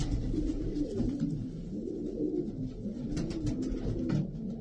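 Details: Racing pigeons cooing together, low throaty rolling coos overlapping in a steady murmur with soft rustling and clicks in the background.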